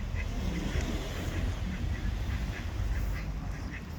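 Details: Ducks at a pond letting out scattered short quacks over dense, loud background noise and rumble.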